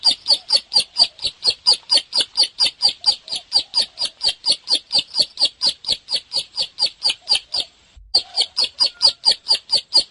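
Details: Bar-winged prinia (ciblek) in vigorous song. Quick, high, scratchy notes follow each other steadily at about two per second, with one short silent gap near the end before the rhythm picks up again.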